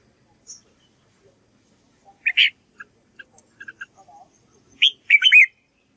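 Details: Red-whiskered bulbul practicing song for white-cheeked birds to learn. Scattered short chirps and clicks lead into a brief, bright, slurred warble at the end.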